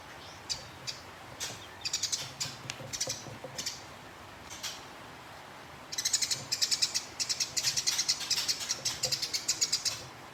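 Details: Sparrow recorded as a contest tutor in fighting mode, rolling on: scattered single chirps at first, then from about six seconds a dense, continuous run of rapid, high, sharp chirps.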